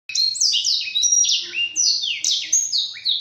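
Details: Black-throated canary training song for caged birds: a fast, continuous run of bright, sweet warbled phrases with rising and falling slurred notes and trills, delivered loudly and without pause for over three seconds.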